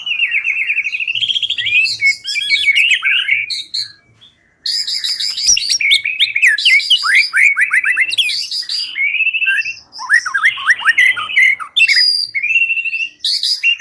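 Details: Energetic white-rumped shama song used as a trapping lure: long bursts of fast trilled and whistled phrases, many high notes, broken by a short silence midway.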